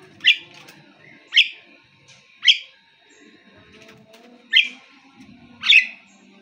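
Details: Nias hill myna giving loud sharp whistled calls, one burst roughly every second, separated by quiet gaps with faint low background noise.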